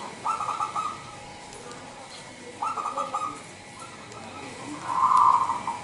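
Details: Zebra dove, a local Indonesian bird used as a lure call to draw in other zebra doves: two buzzy mid-pitched coos a little over two seconds apart, then a louder purring note, with faint background hiss.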